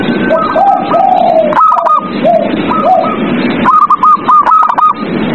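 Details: Night-time zebra dove song meant to prompt captive doves to sing: a string of soft rising coos followed by a rapid run of clipped higher notes repeated in quick succession, against continuous loud background hiss.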